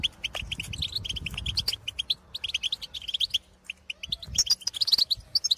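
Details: Field-recorded European goldfinches calling to others of the species: fast runs of bright chirping notes, a short lull, then higher tinkling notes near the end, with occasional low thumps.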